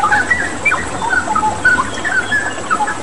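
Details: Straw-headed bulbul, locally cucak rawa, singing strongly over a wash of running water; fluty whistled notes, a few sharply rising, tumble out in a fast, bubbling phrase.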